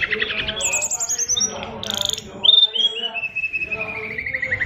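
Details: Oriental magpie-robin of the SRDC Bali type in imitation-filled song ('isian luber'): fast chattering notes, a high descending trilled whistle, a brief burst, then a long gently falling whistled trill.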